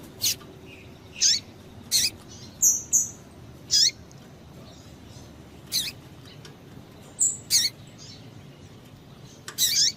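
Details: Calls from a female double-collared seedeater, used to rouse males: brief piercing high notes, each dropping quickly in pitch, spaced one to two seconds apart, over faint constant noise.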